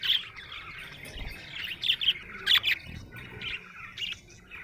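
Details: Happy budgerigar chirping, a run of bright, sharp chirps and squeaky notes spaced every half second or so, set over a steady soft warbling chatter.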